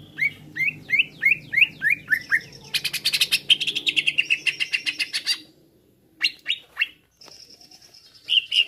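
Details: Greater green leafbird song used as pancingan to agitate birds: about eight looping up-slurred notes, then a dense rapid buzzy trill, a pause, three more slurred notes and a brief high whistle.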